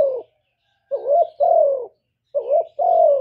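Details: Spotted dove gives two full coo phrases, each a short rising-falling note followed by a sustained downward-sliding coo, with quiet between them.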